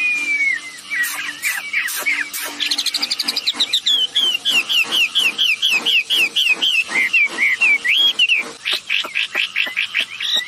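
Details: Red-billed blue magpie pair, female and male, calling as a lure to make other birds join in: a falling whistle, sharp clicks, then a fast run of wavering chirps, about four per second, with clicks throughout.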